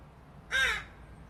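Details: Single harsh, nasal, rasping caw from a fledgling Northwestern crow begging for food, loud and slightly drawn out, then quiet.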